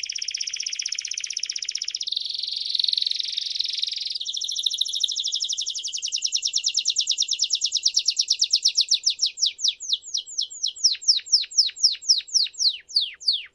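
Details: Canary song played to teach young canaries: dense buzzy high rolls shifting in pitch, then a rapid trill that slows into distinct falling sweeps over about fourteen seconds.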